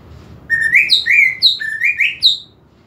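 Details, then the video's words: Song of a greater green leafbird, used to provoke aggression in a listless bird: a lively sequence of about seven clear whistled notes, each sliding upward, alternating between higher and lower pitches. "PANCINGAN EMOSI UNTUK CUCAK IJO KURANG EMOSI"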